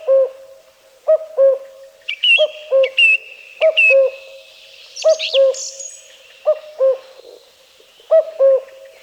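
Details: Low, hollow cu-coo of a Common Cuckoo repeated about seven times in a Polish forest of Wielkopolski National Park, 1990, with a song thrush delivering bright repeated whistled and scratchy phrases overhead.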